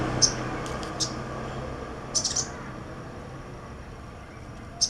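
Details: A few sharp, very high sunbird chirps, one a quick triple, separated by pauses, over a faint background hum.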